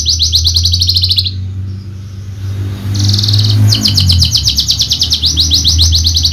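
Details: Contest-winning Horsfield's bushlark of the javanica type: high rapid trilled bursts, a short pause with a low rumble, then a long stretch of quick, metallic pulsed notes.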